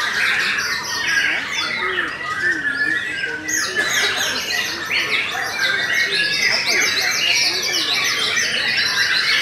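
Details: Continuous song of a white-rumped shama, the Murai Batu Belanda type: fast bursts of clipped, high notes and short trills follow each other without a gap, with a faint lower twittering beneath.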